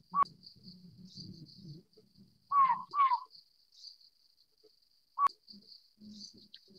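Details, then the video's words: Collared scops owl of the Taiwan-endemic subspecies Otus lettia glabripes, a lowland broadleaf-forest bird, giving short, hollow, slightly falling hoots, two close together and others spaced a few seconds apart, over steady high insect chirping and faint low rustles. "領角鴞/Collared Scops Owl"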